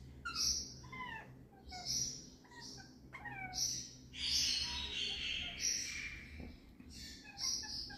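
Young rose-ringed parakeets give harsh, raspy squawks with falling whistled notes, repeated roughly every second and sometimes overlapping into longer screechy bursts.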